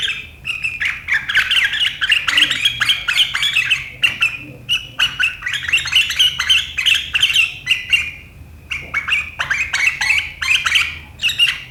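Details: Sooty-headed bulbul singing sharp riwikan chatter on 7 April 2023, said to make rivals join in: long runs of fast, scratchy, high chattering notes over a steady whistle, with one brief break midway.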